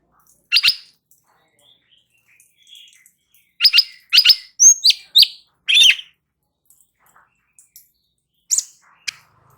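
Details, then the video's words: Light-vented bulbul, ngebren singing used as masteran to draw replies from other birds. Scattered sharp chirps and short grouped bursts with a whistled note sit between quiet gaps. "Cucak Cungkok NGEBERN , Apapun Burungnya LANGSUNG NYAUT dengar MASTERAN ini"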